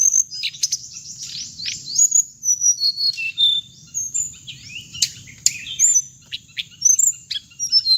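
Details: Hồng hạnh bird recording used as trap playback: dense run of high twittering notes, quick downward slurs and sharp clicks in close series, with a constant high-pitched whine running through.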